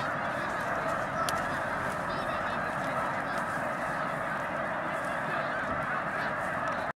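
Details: Vast migrating gathering of snow geese at Baie-du-Febvre, between Montréal and Québec City, Quebec: thick, constant clamour of many honking birds at even volume, ending abruptly at about seven seconds.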